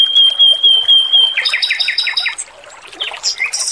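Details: A male robin in a training recording gives a long thin whistle, then a quick row of about six buzzy notes and a few sharp high chirps, over gently trickling water.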